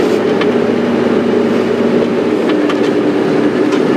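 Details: Steady loud rumble and clatter of a passing train or rail vehicle, with no animal voices heard.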